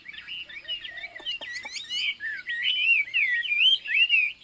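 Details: Chinese hwamei, known as wambi, singing a lively stream of wavy whistles and slurred rising and falling notes, with a few sharp clicks early on.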